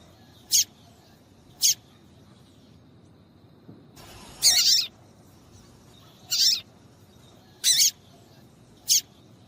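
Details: A female papa-capim seedeater gives calls meant to stir males into song: two thin high chirps, then a broad rasping burst followed by three more sharp squeaks spaced over several seconds.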